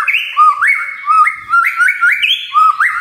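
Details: Magpie-robin singing as a lure to trigger lively song: a rapid chain of loud, clear whistles, each phrase a low note jumping up to a higher held note, repeated about every third of a second with no other sounds.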